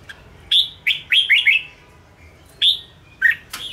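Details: A caged red-whiskered bulbul of the Ché style sings to provoke newly caught birds and train them for competition: a quick burst of several swooping whistles, followed by two separate single notes after a pause.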